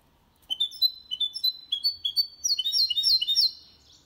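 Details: Goldfinch × canary hybrid singing cleanly, kept to stimulate males to sing and teach young birds: sweet whistled notes rising into a fast, rolling twittering run of repeated sliding phrases, quiet room background.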